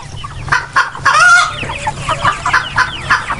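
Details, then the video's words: Free-range and farmed chickens (roosters, hens, chicks) calling as a busy flock: a brief drawn-out rooster crow near the start, then rapid clucks and squawks about four times a second, with several birds overlapping. "sound of crowing cocks and several species of chickens"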